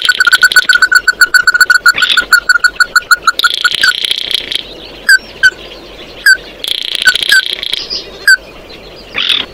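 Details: Oriental white-eye singing to gather the flock: a fast, even string of sharp chips for about three seconds, then scattered single notes and stretches of dense buzzy twittering.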